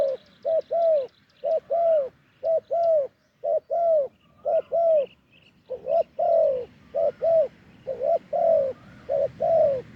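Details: During branch decoy trapping in Thailand, a wild spotted dove with a deep voice coos steadily: low, hollow short-long note pairs repeated about once a second across the whole stretch, faint chirps behind.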